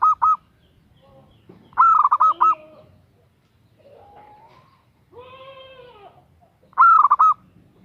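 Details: Female zebra dove calling to a male: loud, bright rolling coos with a rising start then quick warbled pulses, three bouts spaced by pauses, with softer fainter cooing notes in between.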